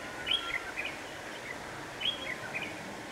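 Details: Red-whiskered bulbul used as a lure bird for trapping on a windy day, 26 November 2018: two short bright whistled phrases, each a quick rising note and warble, about 1.7 seconds apart over heavy wind roar.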